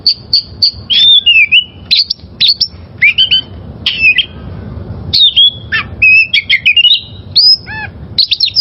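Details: Wild oriental magpie-robin (kacer) song used as a training recording for caged birds: rapid varied whistles, sliding slurs and sharp chips in quick bursts with brief pauses, over a low rumbling background hum.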